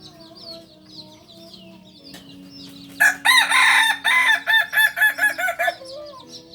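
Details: Farm-bred Kokok Balenggek chicken from Solok delivers a crow of rapid, evenly spaced pulsed notes, about ten syllables in quick succession, after a stretch of high twittering from small birds.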